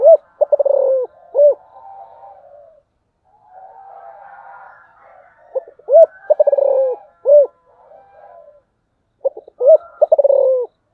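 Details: Repeated 'thổ'-style coos of a spotted dove: three phrases of rolling pulsed notes and deep arched coos, separated by stretches of faint muffled background sound.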